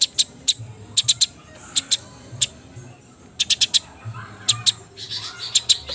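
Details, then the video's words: Near dusk, wet Eurasian tree sparrows fighting produce scattered piercing chirps, some paired, some in short quick runs, with a faint softer warbling in the gaps and low background hum. "Burung Gereja tarung gacor posisi basah menjelang magrib"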